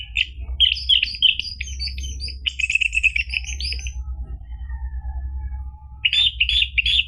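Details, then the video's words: Caged orange-headed thrush song used to coax another bird into singing: dense, rapid, varied whistles and chattering notes for about four seconds, a quiet stretch with faint thin tones, then another burst of bright jumbled notes, with constant low hum beneath. "PANCINGAN ANIS MERAH biar bunyi NYAUT JADI GACOR NGEPLONG ampuh buat terapi macet bunyi"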